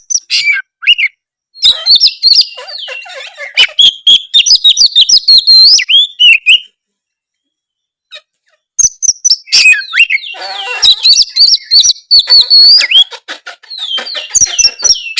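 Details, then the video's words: Oriental magpie-robin singing loudly to provoke reluctant birds into replying, with dense runs of clear whistled phrases, slurred sweeps and scratchy chips, one pause of about two seconds midway. "suara kacer gacor ngeplongg"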